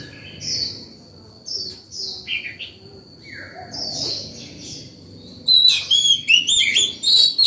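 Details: An aroused Oriental magpie-robin sings in the morning to call other birds and train chicks: several soft slurred whistles, some descending, then a loud, fast, tumbling string of varied whistles and chirps.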